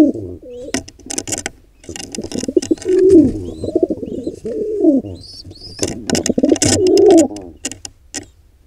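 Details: Wild pigeons at a nest where an intruder pair attacks a nestling squab: deep, throaty cooing phrases rise and fall repeatedly among loud scuffling, wing flaps and knocks in an enclosed space.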